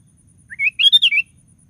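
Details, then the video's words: Sooty-headed bulbul in lively full song, used to provoke other bulbuls into singing: a single short bubbly, liquid phrase of about five quick warbled notes, rising then falling, over a quiet low hum. "DENGAR SUARA BURUNG KUTILANG GACOR"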